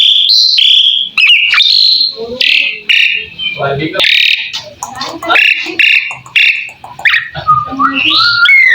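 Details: Asian pied starling (jalak suren) song for tutoring other birds: a jumble of squeaky whistles, gurgling notes and short harsh chatters, with rising and falling slurred tones and brief gaps.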